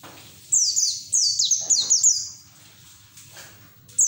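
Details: White-eye singing in the ngeriwik style with open beak, used as training audio for untrained white-eyes: high, thin notes sliding downward, run into a rapid twittering phrase for about two seconds, then near silence and a brief final note.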